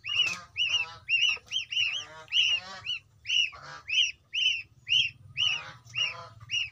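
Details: Gosling calling to its companions and mother, a fast series of high, arched peeping notes about two per second, some overlapping rougher peeps, over a low steady hum.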